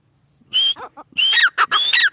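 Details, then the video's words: Grey francolin giving two loud, ringing call phrases after a short silence, each a high whistled note followed by a falling, harsh ending. "Gary francolin birds | dakni teetar ki awaz | teetar voice | teetar sounds bhory teetar ki awaz"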